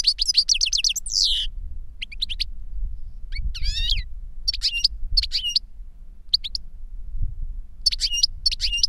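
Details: Reclamo song from a caged master goldfinch or the young bird it taught through a recording. A long tinkling trill opens, then separate sharp, ringing chirps with rising and falling twists repeat about every second against faint low background noise.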